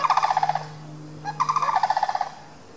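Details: Sandhill cranes walking down a neighbourhood street, scurrying away from a dog that followed them, give two rolling, rattling bugles, each a quick run of trumpet-like pulses about a second long, over a faint low hum.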